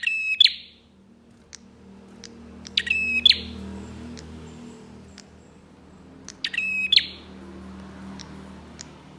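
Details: Bar-winged prinia song played to make other prinias sing: three harsh, buzzy phrases spaced about three seconds apart, each closing with a crackle. Scattered soft ticks and low rumbling background noise.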